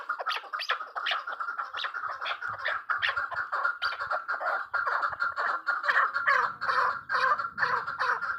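Chukar partridges give harsh, clucking chuck notes in a fast, uneven stream, about two a second, building into a busy chorus over a faint low rumble.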